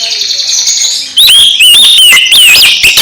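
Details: Oriental magpie-robin song to stimulate a sulking magpie-robin: after a soft hum, a loud run of clear whistled notes sliding up and down, punctuated by sharp clicks, continues steadily.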